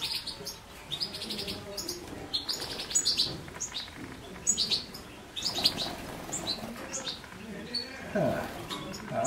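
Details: European goldfinch singing a quick, high twittering run of bright chirps and short trills that goes on without a break, with a brief low voice near the end.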